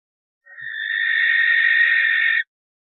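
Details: Common barn owl uttering one sustained, breathy, grating shriek for about two seconds. It swells at the start, holds evenly, and ends sharply, set against a quiet background.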